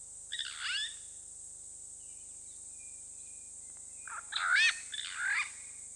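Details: Purple Rollers, a pair at Hyena Pan in the Khwai Private Reserve, Okavango Delta, Botswana, on a camp camera: one loud harsh rasp, a quiet gap, then a louder double burst of grating, cackling calls, with a constant high hum.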